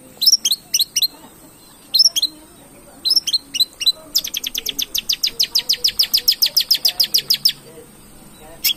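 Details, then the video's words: Long-tailed shrike song used as a lure to provoke singing: sharp, high chirps in short bursts of three or four, then a fast, even run of about thirty clipped notes lasting three seconds, over a faint steady high whine. "pancingan cendet gacor"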